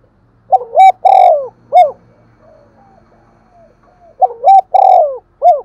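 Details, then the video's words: Spotted dove urging coo ('thúc gù'), meant to stimulate decoy doves: two loud, close phrases, each a quick double note, a drawn-out rolling coo and a short closing note, separated by a pause of about three seconds. "cu gáy thúc gù// tiếng cu thúc gù hay dùng kích bổi hiệu quả"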